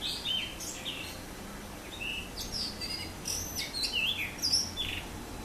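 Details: Singing blue rock thrush: a quick string of high chirps and fluty whistles, some notes slurring down, louder toward the end against a quiet background.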